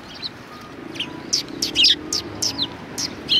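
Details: Sparrows coming for food at a Tenmangu shrine, recorded 6 March 2020: short sharp high chirps in quick bursts, several birds overlapping, with a faint steady hum behind.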